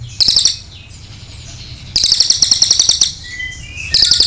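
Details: Cililin performing its long 'nembak' song, recorded for training other birds: repeated bursts of shrill, fast, high chattering trills, each lasting about a second, separated by quieter twittering and low background rumble.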